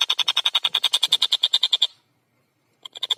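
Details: Long-tailed shrike (tengkek buto) in full, clear, fast song: a dense run of harsh rasping notes repeated about eight per second, a pause, then the chatter restarts.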